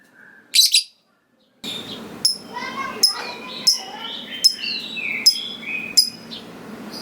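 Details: Lovebird giving an opening sharp chirp, then short high notes repeated roughly every three quarters of a second over steady background hiss, with lower whistled squeaks in between.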